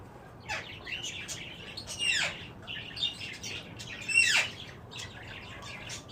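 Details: Green ringneck parakeets during mating: harsh screeching squawks, several sweeping steeply downward, come in irregular bursts every second or two, with softer chattering notes between them.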